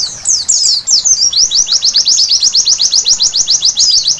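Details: Night song of a white-eye opening with a few scratchy twittered phrases, then settling into quick, evenly spaced high down-slurred notes around four per second.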